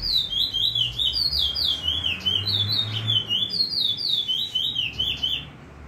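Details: Bullfinch in free singing, delivering a rapid string of high whistled zigzag notes, rising and falling in quick repeated pairs for nearly six seconds, with faint low rumbling noise beneath.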